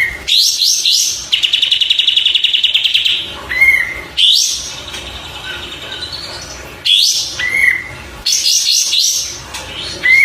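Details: Oriental white-eye singing on a tutor recording for cage birds: a long rapid buzzy trill, then repeated sharp chattering bursts, each ending in a short slurred whistle, with gaps between phrases.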